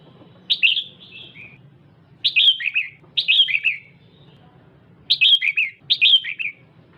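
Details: Red-whiskered bulbul female exciting the male with repeated phrases of bright chirps, each falling into a slurred warble, around one phrase a second in uneven groups, over a quiet low hum.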